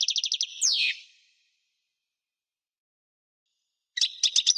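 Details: European goldfinch song recorded in 1998: a fast run of bright, buzzy chirps, then a slurred descending twitter, a pause of silence, and another burst of quick, tinkling notes.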